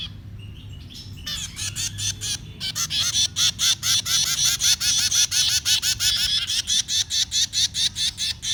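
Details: Baby birds being fed break into a rapid, insistent run of sharp high chirps about twice per second, growing louder and more regular, with a low hum underneath.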